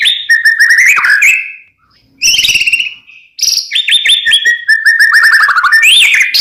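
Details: Loud white-rumped shama song made of rich, varied whistled phrases, quick rattled note series and rising slurred whistles, broken by a short pause, with a brief low buzzy sound in the middle.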